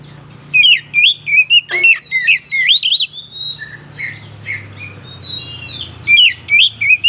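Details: Oriental magpie-robin singing, a recording used to provoke other birds into singing: loud, varied whistled phrases with rising and falling slurs and sharp notes in quick bursts, a brief pause, then more phrases, over a low steady hum.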